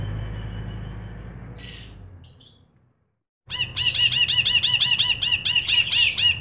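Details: Ashy bulbul in energetic song: after a brief quiet break, a dense stream of fast, repeated, harsh chattering notes runs several per second, loud and steady.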